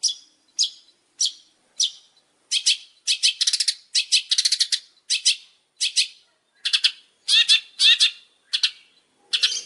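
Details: Long-tailed shrike master song for training: fast series of buzzy, scratchy chattering notes, some single and some in rapid bursts of four or five, continuing steadily with short pauses between phrases.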